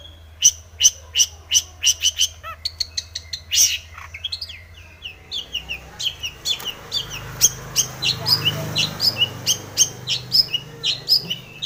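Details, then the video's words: Long-tailed shrike song used to provoke another bird to sing: sharp, repeated high chirps and rapid notes in bursts, with a low hum under the first seconds. "cendet gacor BIRAHI full isian ini MANJUR pancingan cendet agar bunyi"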